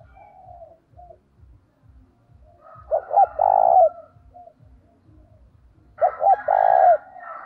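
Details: Spotted dove calling with an urging voice to attract other doves. Two loud phrases about three seconds apart, each a pair of short notes ending in a long sustained coo, over faint cooing and low rhythmic knocks.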